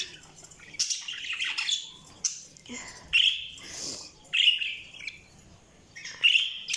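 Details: Budgerigar chirping in separate bursts every second or so: short warbled chirps and squeaky, rising notes with quiet gaps between them.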